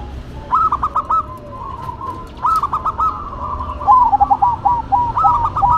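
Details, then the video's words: Zebra dove duet between a local and a cemani bird: three loud bursts of quick, bubbling pulsed coos, the last one longest, separated by softer sustained notes. "Duet Perkutut irama, Lokal Vs Cemani"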